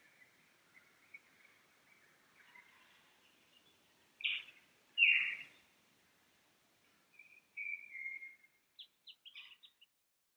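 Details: Lyrebird singing on a Sunday morning in the Cathedral Ranges, recorded coming down from the Farmyard campsite: soft thin whistles, then two loud harsh blasts, a falling whistled slur, and a string of short clipped notes.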